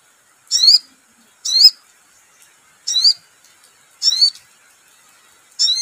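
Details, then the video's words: Crimson sunbird lure sound meant to get a bird singing at once: five sharp, high, wavering chirps spaced about one second apart against an otherwise quiet background. "SUARA PANCINGAN SOGON"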